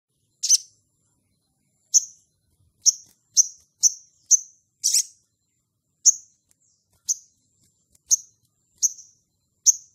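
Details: Crimson sunbird in lively ngleper style, calling to a rival and used as a lure to provoke other birds: a string of short, very high, sharp chips at uneven intervals, about twelve in ten seconds, with no other sounds.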